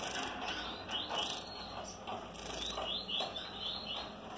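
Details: Male double-collared seedeater mating with a female: quick, high, chirping phrases in short bursts. A dry, ratchety rattle runs underneath, and a man speaks briefly.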